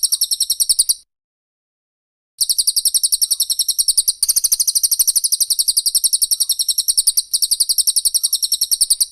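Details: Cililin and Pelatuk Bawang song used to train songbirds: a brief burst, a silence of over a second, then a long stretch of quick, thin, high repeated notes.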